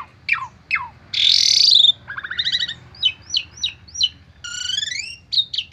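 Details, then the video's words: Asian pied starling in agitated lure song full of fill notes: down-swept whistles, a loud harsh screech lasting nearly a second, a run of four hooked chirps and a rising buzzy note, low hum throughout. "Pancingan Jalak Suren Stres Full isian 100% Nyaut"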